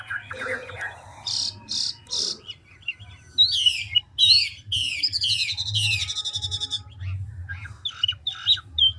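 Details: Chinese hwamei, an old forest bird, changing its voice at speed: varied whistles and harsh phrases, then a loud series of buzzy descending notes and clear whistled slurs, over a steady low background hum.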